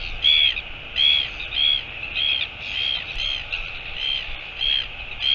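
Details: Northern royal albatross, 25 September 2022: a steady series of short, squeaky chirped calls, about one every half second, each bright and slightly rising, repeated through the clip against a constant hissing background.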